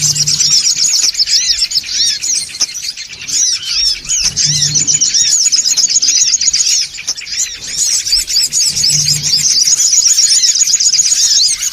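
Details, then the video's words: Many songon otong birds chattering loudly in a lure recording meant to draw birds in, bright high chirps and looping squeaks packed together without break, plus brief low hums now and then. "SUARA PIKAT SONGON OTONG (RIBUT) AUTO KUMPUL !!!"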